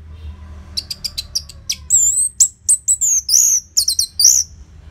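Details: Orange-headed thrush singing loudly with tight pauses, used to start other caged birds singing. Quick clicking notes build into a varied sequence of high whistles, slurs and buzzy chips.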